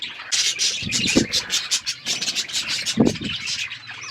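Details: Budgerigars eating seeds while chirping: rapid high twittering chatter runs throughout, broken by two louder rubbing or scraping bursts of seed handling.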